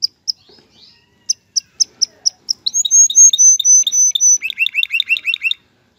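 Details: Male canary song meant to ready a female for mating and nest building: spaced sharp chips, then loud sustained high whistles alternating with lower notes, closing in a quick rolling trill.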